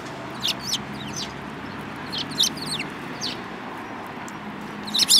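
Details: Eurasian tree sparrows, a flock including a yellow-billed bird, 7 March 2018; repeated bright chirps and quick downslurred tweets, ending in a loud burst of chatter, over faint background hum.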